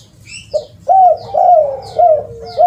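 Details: Spotted dove lure call: a short soft note, then strong rising-falling coos running almost together into a sustained flat tail, with high sweeping chirps above and a faint higher chatter at the start.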